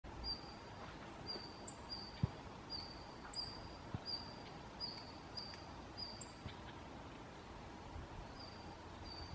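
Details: Red-flanked bluetail call notes, several birds visiting on 30 November 2014, recorded with a Canon PowerShot SX60 HS: thin, high, steady whistled notes repeated about every 0.7 seconds, with a few brief sharper upslurred notes above, over a low rumbling background hiss.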